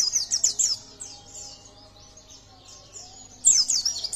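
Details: Yellow-breasted white-eye in lively song, used to provoke other birds into singing: very high, rapid twittering bursts at the start and end with a softer thin warble between, over a faint low hum.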